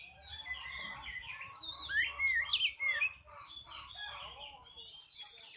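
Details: Oriental magpie-robin (kacer) singing: soft rambling warbles, then loud sweeping whistles that dip and rise, punctuated by very high, harsh rattling bursts near the start and the end.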